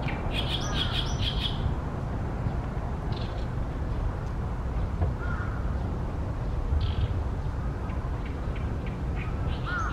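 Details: Oriental great reed warbler, newly arrived for the season, sings loudly in a tree by a reed-fringed pond in Ashiya, Japan, late May 2020: a short burst of grating, chattering phrases at the start, then sparse scratchy notes over background hum.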